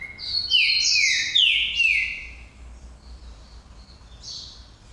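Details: Green-winged saltator called Pantera Negra singing a fast phrase of loud, downward-sliding whistled notes, followed by softer, faint high notes as the phrase fades.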